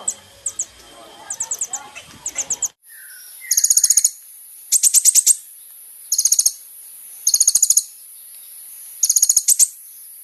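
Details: Lively sunbird song played to provoke other sunbirds: short high trilled bursts over background chatter at first, then clean, very high, rapid rattling trills of about half a second, repeated roughly every one and a half seconds.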